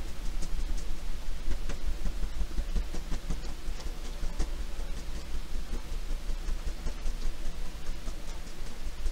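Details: Heavy low rumble of passing rail traffic with rhythmic clicks and clatter, and no animal calls.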